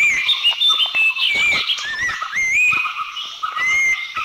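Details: Abbott's Babbler from Thailand giving clear whistled notes that rise and fall, several short phrases in quick succession over a dense background chorus of insects and other birds.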